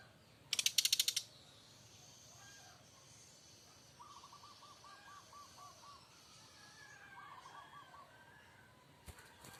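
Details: Brown-chested jungle flycatcher from Bali, a bird described as a fighter, giving loud kretekan: a fast burst of sharp dry clicks near the start, then faint short trilled notes later and a final click.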